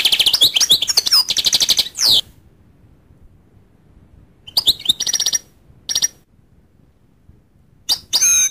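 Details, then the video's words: Goldfinch song in bursts: two seconds of quick, high tinkling twitters and buzzy notes, then silence broken by short chirps, brief buzzy phrases and a final twittered note. "goldfinch sound"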